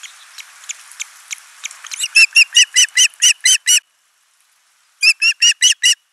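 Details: Ospreys at a nest in Finland on 29 June 2024 as the father brings a large live fish and the mother feeds their only chick. Faint calls build into a loud series of piercing whistled notes, about five per second, then pause and resume.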